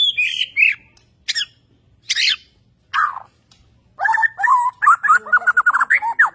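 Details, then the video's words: Newly acquired Borneo white-rumped shama showing an insistent bowing display; several separate harsh, broadband notes spaced about a second apart, followed by a rapid, rich stream of slurred whistles and chips. "Burung Murai Borneo beraksi gaya mempesona"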